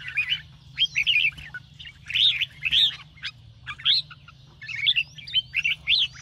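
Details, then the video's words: Morning song of red-whiskered bulbul prepared for singing competition: repeated bright warbled whistle phrases in spaced bursts, some with rising slurs, over a steady low hum. "chào mào hót sáng QUÁ HAY - CHÉ KÍCH BỔI CĂNG ĐÉT, Cách luyện chào mào hót căng lửa"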